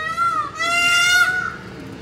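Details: Indian peafowl call: a loud, nasal, wailing cry with a rich harmonic ring, a short first note dipping briefly before a longer sustained second note that fades out.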